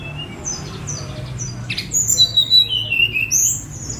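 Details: Sunda robin, spotted form, flying loose and recorded with a phone: faint high notes, then a clear descending string of thin whistles ending in a sharp upward note, low hum throughout.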